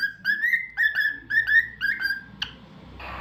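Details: Indoor cockatiel whistling a tune of clear, rising notes, about two per second in paired phrases, ending with a sharp chirp and a short rustle.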